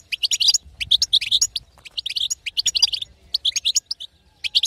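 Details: Female European goldfinch batbata for stimulating a male to sing: clustered bursts of sharp, high tinkling notes, dense at first, then sparser chirps with pauses near the end.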